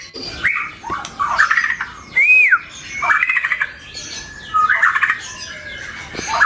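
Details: Recording of white-rumped shama song for luring and mastering pet birds: short bursts of squeaky warbles and chips, including a clear arched whistle, with short pauses between.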